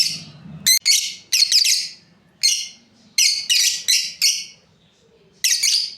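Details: Shrill, rasping chirps from a breeding pair of lovebirds, about eleven notes in clusters of two or three, with a soft low murmur at the start.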